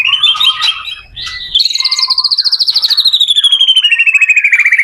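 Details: White-rumped shama song for training other shamas to sing: a few varied notes, then a long fast trill of repeated notes that slowly falls in pitch.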